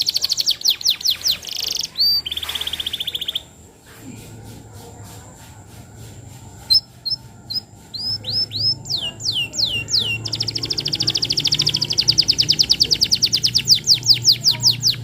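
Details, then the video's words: Lively canary singing, recorded as lure song for training juvenile canaries: rapid repeated high trills, a short steady whistle, a quieter pause, then sweeping slurred notes building into fast rhythmic rattling tours. "Suara Pancingan Kenari Gacor, Cocok Untuk Materan Paud Kenari"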